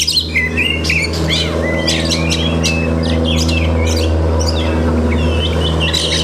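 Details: Oriental magpie-robin singing mimicked phrases (masteran), heard as short whistled slurs and crisp chips in spaced bursts, partly behind a loud, steady low hum.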